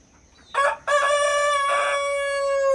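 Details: Rooster on a farm in Villeta, Colombia, kept with hens: a loud crow that opens with two short harsh bursts, then a long sustained harmonic note held for almost two seconds, with little background noise.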